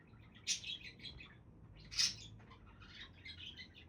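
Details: Budgies giving two loud, harsh chirps a second and a half apart, with quieter scratchy chatter running between and after them.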